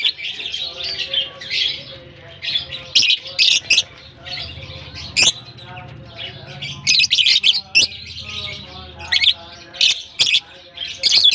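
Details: Lovebird colony in Germany at the start of the summer season, birds released and interacting: long stretch of shrill overlapping chatter with recurring clusters of loud sharp chirps, busiest in the final third.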